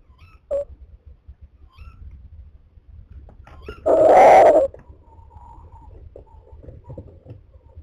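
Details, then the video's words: Tawny owl calling while looking in, recorded in January. A single loud, harsh, hoarse call lasts under a second, with a few faint shorter notes around it and a low rumbling background. "Tawny looking in Calling"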